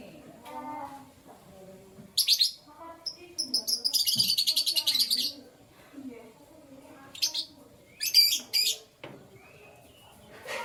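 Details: A canary singing in the morning, with a fast, even trill of repeated high notes lasting about two seconds, then a few separate sharp chirps. Lower, softer warbling sounds from other birds run underneath.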